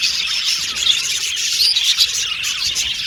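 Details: Several Australian budgies chirping happily, a dense, continuous, high chatter of tweets, trills and short whistles layered over one another without pause.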